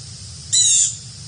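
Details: One of two Carolina wrens visiting a yard gives a single loud, harsh, rasping burst lasting under half a second, high and buzzy, against a quiet low hum.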